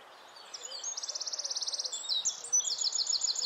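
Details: Wren singing in nesting season, a fast run of high, bright, even notes forming a rapid trill, then shifting into sharper, higher twittering phrases, loud over faint background hiss.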